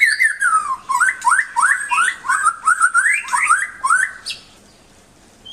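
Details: White-rumped shama song used as a tutor for pet songbirds: rich whistled phrases, rising and falling slurs repeated in quick succession for about four seconds, then a short high note and quiet.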